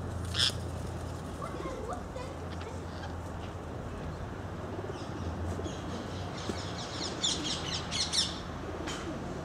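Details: Ring-necked parakeet in England: a sharp screech opens, then after a pause a run of rapid, rasping shrieks follows, against a constant low hum of outdoor noise.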